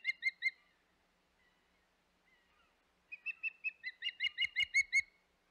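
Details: Osprey at the Hog Island nest on 25 May 2021 gives three quick whistled chirps, a pause, then an accelerating series of about twelve loud piping chirps with a few soft thumps.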